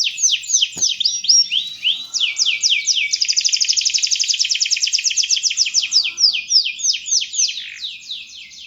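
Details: Lively canary song used to tutor young birds. Varied quick slurred whistles lead into a dense rapid trill, then return to sharp descending notes, all high-pitched with little background.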